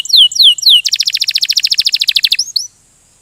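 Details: Canary's ngerol rolling song: three loud downward-sliding whistles, then a fast rattling trill of even, clipped notes for about one and a half seconds, two short curling whistles and silence.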